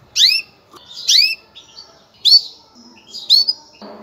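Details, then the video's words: Mating call of a female canary, given to prepare males for breeding: bright, rising chirps in pairs and clusters about once a second, with faint twittering between and a soft rustle at the end. "انثى الكناري, نداء التزاوج, لتجهيز الذكور"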